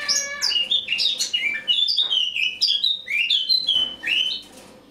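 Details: Eurasian blackcap (Sylvia atricapilla) in autumn song on the morning of 1 October 2017: a rapid, rambling warble of fluty and scratchy notes, sliding up and down without pause for about four seconds.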